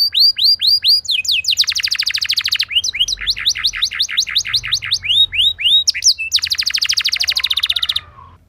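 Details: Canary rolling song played to draw other canaries into song: arched whistles alternating with fast buzzy trills, phrases changing every second or two, fading at the end.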